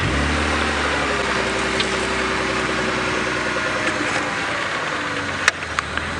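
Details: A vehicle engine idles with a steady low hum, with a few faint clicks and no animal calls.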